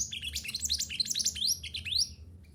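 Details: Mantenan gunung in a dense, continuous outpouring of high, sweeping and rising chirps over about two seconds, loud and jumbled, against a low background hum. Used as a training recording for caged birds.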